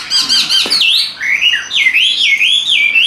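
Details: A captive Chinese hwamei, a calm and even-voiced singer that spreads its tail when fighting, sings a loud, rich run of whistles swooping up and down in quick slurred loops, with a few harsh notes at the start.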